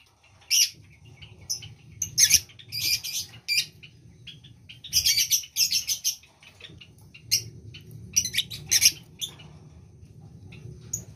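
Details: Lovebird in breeding condition uttering sharp, high-pitched chirps and rapid chattering bursts, clustered in groups with brief pauses, over a faint low hum.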